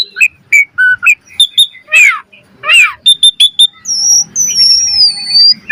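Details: Asian pied starling in rich varied master song for bird training: chirps and short whistles, two slurred buzzy notes, sharp chips, then a long clear whistle gliding downward.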